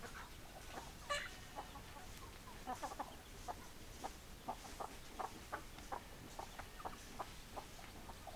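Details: Chickens clucking: a steady run of short, soft, low clucks, several per second, from more than one hen over a quiet background hiss.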